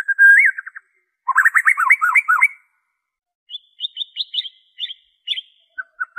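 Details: White-rumped shama song in its original form without mimicked phrases, played to prompt captive birds to sing or to lure wild ones: whistled trills and rapid rising-falling notes, then a pause and a series of short high whistles.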